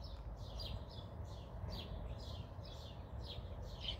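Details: Young American robin chick calling for its mother: a steady series of short, high chirps repeated about twice a second, fairly faint over a constant low rumble of background noise.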